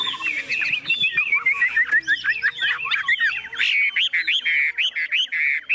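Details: A very tame caged Chinese hwamei, newly arrived and unafraid of people, pecking a hand while its cage is carried and shaken, sings a fast, rich, loud, unbroken run of varied whistles and warbles over low rumbling handling noise.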